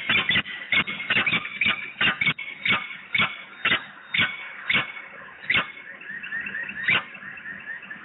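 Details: Peregrine falcons at Włocławek, 9 August 2020, in a pair duet before the female departs: hoarse repeated notes that slow from quick bursts to spaced calls, then trail into softer twittering chatter near the end.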